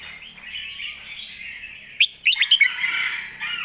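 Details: Master-song phrase from a caged red-whiskered bulbul: a busy background chorus, then a sudden sequence of four or five punchy, rising whistled notes followed by mellow warbling.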